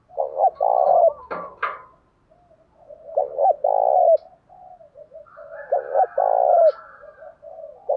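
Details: Spotted dove song meant to provoke rival doves into fighting: deep, hollow coo phrases, each a quick stutter then a long rolling note, repeated three times with soft low cooing between and a brief higher chirping near the second phrase.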